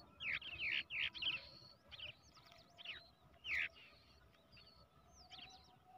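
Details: Begging brown shrike nestling, raised by hand from the egg, giving a quick run of loud rasping chirps that tails off into scattered thin squeaks, over a low background hum.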